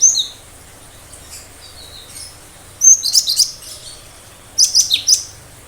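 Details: Cinereous tit in 'tembakan tajam' style: a few soft high notes, then two bursts of four or five sharp, piercing notes a little over a second apart.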